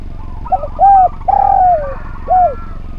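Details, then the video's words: Mellow song of a spotted dove, recorded to train other birds: a soft opening note, then a firm hoot, a long descending coo and a last short arched coo, with faint higher warbles over steady low noise. "Derkuku Gacor Suara Nglaras, Masteran Derkuku Paling Top Cer"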